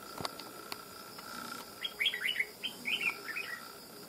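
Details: Red-whiskered bulbul, a wild bird trapped for fighting after almost two months of effort, sings a rapid run of clear, slurred chirping notes in two short bursts over a steady background hum.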